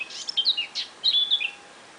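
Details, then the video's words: Small bird singing a brief phrase of thin high chirps and short whistled notes, some clipped and some sliding, packed into about one and a half seconds with quiet background. "Tiny Little Bird Sounds"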